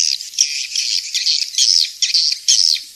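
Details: Swiftlet calls in the 'King's Star' style used in swiftlet farming: a run of high, bright chirps and short twitters, each a quick arched note, coming in bursts of about half a second, with no other sounds.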